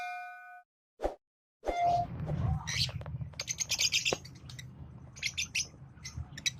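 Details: A green pair of Fischer's lovebirds chirping: after a few steady tones and two sharp knocks at the start, quick high twittering notes in short bursts, over a constant low hum.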